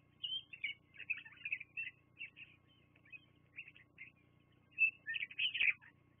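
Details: On a Fraser Point nest cam, a bald eagle utters a steady series of high, chirping piping notes on 24 September 2022. The series ends in a louder, squealing flurry.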